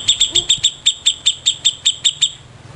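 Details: Grey-cheeked bulbul, a prized master bird kept for tutoring other songbirds, giving a rapid run of about thirteen sharp, high, clipped notes at an even quick pace over two seconds, then fading to a faint low hum.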